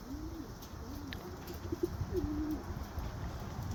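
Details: Greek God bloodline white young racing homer wanting to get into the breeding loft, giving two low arched coos, then short clipped notes and a brief level hum, over low rumble.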